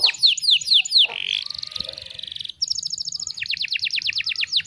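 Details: Canary song recorded for training other canaries; a string of falling whistles, a short buzzy trill, a pause, then rapid repeated downslurred notes at about two per second.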